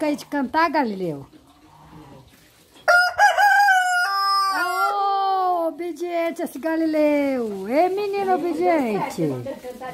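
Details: A domestic rooster, said to crow at once whenever told to, gives a long harmonic crow after a person's spoken prompt. The crow is several sustained, level phrases lasting about seven seconds and ends in a wavering, dipping tail.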